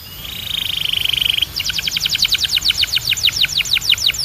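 A canary sings a fast, even, buzzy trill, then a run of bright downward-sweeping notes repeated about seven times a second, over a faint low hum.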